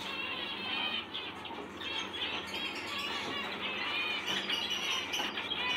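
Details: Captive zebra finches in a bird room, 2020, chatter together in a dense chorus of nasal, buzzy chirps and short trills.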